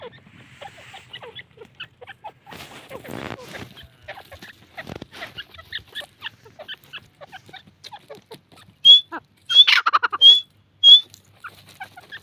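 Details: Young grey francolins (dakni titar) at Taunsa: a low, faint scatter of soft chirps, then a sudden run of loud, clear, high whistled notes near the end, several in quick succession.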